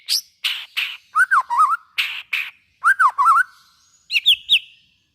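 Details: White-rumped shama singing to stimulate other shamas: harsh buzzy notes alternating with twisting whistled phrases, ending in a clear cluster of sharp whistles.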